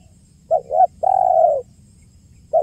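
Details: One 'kuk 1' phrase from a spotted dove used as a trapping lure: two quick soft notes, then a long, level, hollow coo, with the next phrase beginning at the end.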